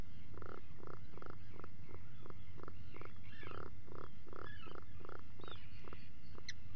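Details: At 04:58 on 28 June 2019, a burrow camera caught Atlantic puffins at breakfast underground. A long series of throaty, rattling pulses comes roughly twice a second over a constant low hum, with distant higher chatter.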